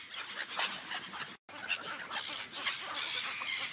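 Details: Seagulls gathered on an ice lake, a dense chorus of overlapping squawking calls from many birds, harsh bursts coming and going, with a brief gap of silence midway.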